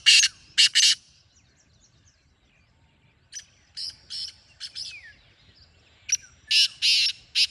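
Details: Black francolin calling: two loud, harsh, grating bursts open, then after a pause a quieter rasping phrase of several short notes and a final louder series of harsh notes, with faint chirps from other birds.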